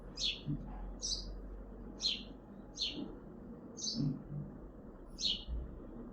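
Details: A house sparrow on a balcony in Hazaribagh, India, gives six bright, clipped chirps at a steady pace of about one a second, over a low background rumble.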